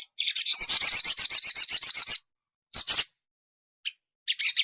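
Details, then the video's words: Sunbird in training, its song used to make it twitter quickly. A long, rapid series of high, rhythmic, buzzy notes, followed by brief scattered chirps. "suara burung sogon bahan agar cepat ngriwik,cuit cuit crett"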